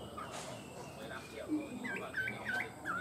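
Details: A tame Chinese hwamei that sings well and steadily gives short, clear, slurred whistles in a quick run of rising and falling notes, over soft rustling and low background noise.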